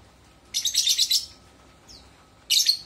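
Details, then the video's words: A lovebird gives a dense run of sharp, high, squeaky chatter lasting about two-thirds of a second. One thin falling note follows, then a second short burst of chatter. "Kicauan burung lovebird"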